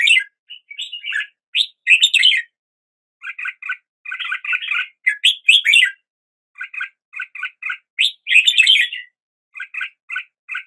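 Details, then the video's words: Red-whiskered bulbul song at daybreak: short runs of rapid, even chirps alternate with louder warbled phrases, each group lasting about a second with brief silences between. "Red whiskered Bulbul Song"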